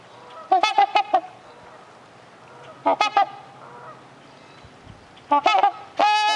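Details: Two Trumpeter swans at a bird sanctuary give loud, nasal, horn-like honks in short bursts of three to five notes, ending with a longer brassy honk.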